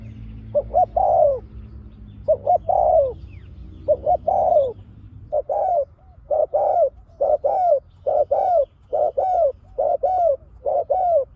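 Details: Spotted dove kept as a decoy for luring wild doves calls in the pak khruen style: paired short notes and a drawn-out descending coo, phrases coming faster and more steadily in the second half.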